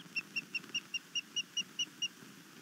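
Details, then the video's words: {'_': 'Osprey at a nest on Skidaway Island, Savannah, Georgia, calling overnight on 22 March 2019 after an intruder disturbed the nest: a rapid series of ten short, sharp whistled notes, about five per second, evenly spaced over quiet background.'} "Disturbance ~ intruder upsets Scarlet overnight"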